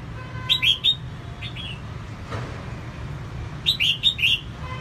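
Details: Female red-whiskered bulbul, kept to stimulate males, repeats a short warbled phrase of four clear whistled notes twice, with a soft note between, against steady low hum.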